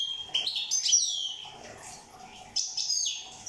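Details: Corsican European goldfinch singing, song described as 'rosse': short bursts of clear, sliding whistles and twittery notes, some rising and falling, separated by a quieter gap in the middle.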